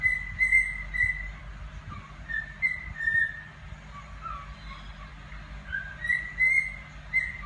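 A cockatiel whistles a melodic song of clear, pure notes, some sliding and some repeated.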